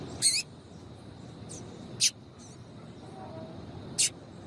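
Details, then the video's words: Female double-collared seedeater calls, played to stimulate males to sing: short sharp high chips repeated about every two seconds over a low background hiss, with faint softer notes between. "Piado de Fêmea de coleiro"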